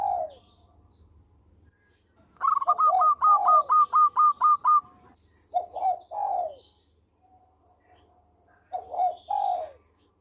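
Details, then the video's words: Local zebra dove in lively, melodious song for luring birds: after a low coo comes a rapid string of about nine clipped, bright notes, followed by groups of mellow, rounded coos, with faint high chirps from other birds. "Perkutut Lokal Gacor Suara Merdu Cocok Buat Pikat"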